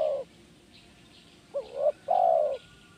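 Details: A spotted dove (tekukur) cooing in the kuk 1 style used to train birds: the tail of one long coo, a silence, then a rising hooked note followed by a sustained, softly falling coo.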